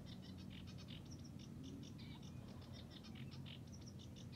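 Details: A sedge warbler, still singing in the reeds at Hörningsholm, Alnö, on 9 July 2021, gives a fast, scratchy chatter of short clicking and buzzing notes, quite faint over a steady low rumble.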